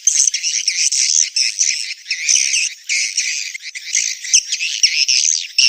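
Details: Swiftlets giving a breeding-season mating call: a dense, continuous chorus of sharp buzzy chirps and rapid twitters from many birds, rising and falling in bursts with short gaps, with no other sounds.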